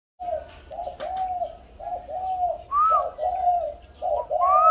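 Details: Pair of spotted doves cooing against each other: overlapping low, hollow coos in repeated phrases, one bird adding a higher rising note, with a faint background hum.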